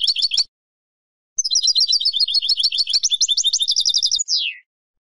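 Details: European goldfinch singing for silvestrismo, the Spanish hobby of training wild finches to sing: a short twitter, then a long rapid trill of bright, evenly repeated notes ending in a descending slurred note.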